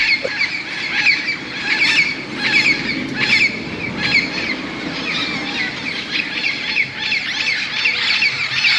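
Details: Tens of wild parrots gathering in large bamboo plants beside a golf course in Moka, Trinidad and Tobago, settling for the night in the evening: a dense, continuous chorus of harsh overlapping squawks with louder bursts every second or so.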